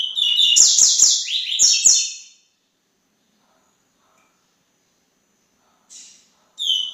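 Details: Coleiro, the double-collared seedeater, delivering a quick burst of high sliding whistles and trilled notes for about two seconds, then falling silent before a short soft note and the start of a new phrase.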